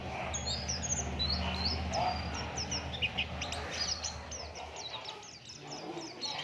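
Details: Lure recording of an Oriental white-eye singing to prompt others: a busy run of thin, high, rapid chirps and downslurred twitters repeated several times a second, with a low droning hum beneath.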